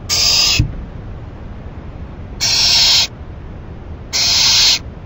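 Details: ['Owl fed a rabbit around 11:30 PM, 28 May 2012: three loud, noisy hissing bursts of about 0.6 seconds, the first ending with a soft knock, spaced irregularly.']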